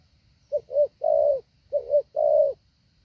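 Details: Spotted dove used as a training decoy for luring wild doves, with a well-patterned call: two short mellow coos then a longer drawn-out coo, repeated twice, low and clear over a faint steady hum.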